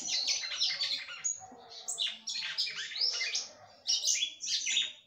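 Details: Singing female red-cowled cardinal stimulating the male: fast, bright, high twittering phrases in a near-continuous flow, with a few brief breaks.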